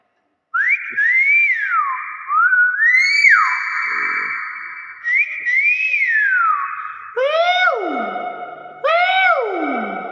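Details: Nias hill myna giving loud, clear whistles that swoop up and down, with long level notes between them. The phrases come in bursts, and later notes turn richer and nasal, with stacked overtones.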